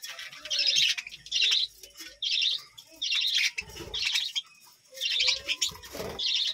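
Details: Budgerigars kept in a village-home colony give a steady series of high, harsh chirp bursts about once a second, with brief low thumps between them.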